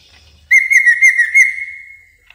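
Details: Lure sound of a Greater green leafbird for luring and training birds: one sustained mid-high whistle with a quick warbling start, held steady and then fading away.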